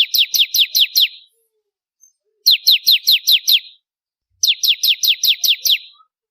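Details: Three short, evenly spaced bursts of six or seven piercing, falling chips, each burst about a second long, from an actively singing crystal-type bar-winged prinia used to train contest birds.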